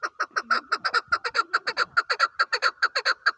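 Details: Chukar partridge calling: a steady, rapid chant of raspy chuck notes, roughly six per second, evenly spaced throughout.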